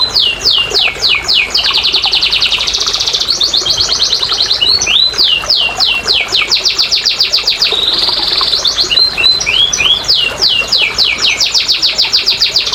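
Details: Canary song meant to stimulate silent canaries: alternating rapid high trills and series of sharp down-sweeping whistled notes, with quick rolling phrases recurring through a long, varied performance.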